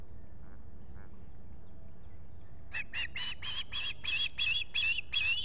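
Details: Osprey calling at a Finger Lakes nest, US, July 2021 morning, while a visitor comes to the nest; quiet background, then a rapid burst of about nine shrill, grating notes that grow louder.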